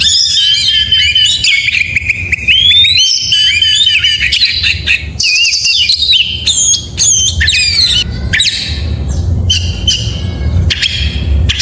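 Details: Oriental magpie-robin singing in the morning, a rich, varied run of whistles, sweeping slurs and harsh squawky notes high in pitch, packed closely together, with a low steady hum underneath.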